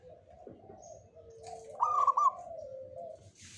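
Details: A Jogoboyo local zebra dove, believed to bring good fortune, sings one brief, clear, trilled phrase of a few quick notes. Low continuous cooing from other doves runs underneath.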